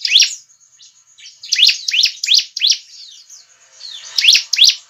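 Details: Bar-winged prinia (ciblek) song used for luring: loud upward-sweeping chirps in quick runs of three to four, with faint twitters and a thin high whistle between.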